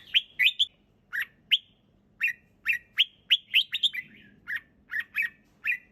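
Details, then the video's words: Red-whiskered bulbul in clear, relaxed song: a rapid triplet of bright notes, then a steady series of ringing chirps roughly every third of a second, with a faint low rumble in the background. "เสียงนกกรงหัวจุก ร้องสบายๆ เสียงชัด!!"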